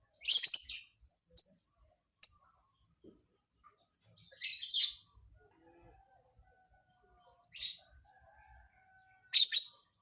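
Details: A lovebird sings an unusual song fill that is hard to predict. It gives six short bursts of high, dense, scratchy chirping at irregular intervals, each under a second long, separated by near silence.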